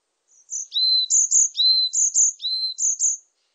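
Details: Varied tit (Sittercula varia), song.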